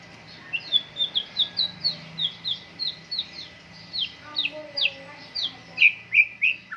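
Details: White-rumped shama singing in morning dew airing, a steady string of sharp high downslurred notes repeated about twice a second, with a low whistle in the middle.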